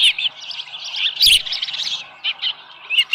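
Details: Osprey at the nest with a live fish, early morning, July 2018. Brief high, whistled chirps with one loud clunk in the middle.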